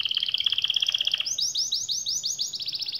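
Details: Canary song used to get silent, lazy canaries singing: a quick train of bright high chips, then a series of rising whistled sweeps repeated about four times a second.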